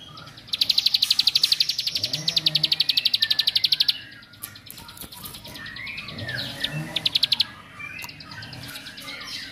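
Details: A bar-winged prinia giving a long burst of fast high repeated notes, then shorter bursts after a pause, with soft lower warbles in the gaps; the song is meant to provoke other prinias.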